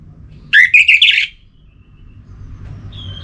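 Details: Orange-headed thrush phrase for stimulating other birds' singing, from north Bali: a brief loud run of rough warbled notes, then quiet hum and a faint thin whistle.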